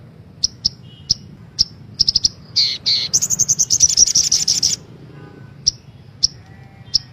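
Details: Female sunbird calls played as a lure to get caged birds singing: sharp, high chirps spaced irregularly, a dense burst of rapid high trilled notes in the middle, then scattered single chirps again.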